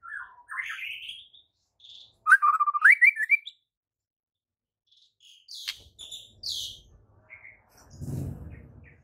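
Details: White-rumped shama in vigorous varied song, used as tutor audio for birds that refuse to sing. Rising slurred whistles, a rapid burst of chattering notes, then high buzzy squeaks, with a low rumbling noise near the end.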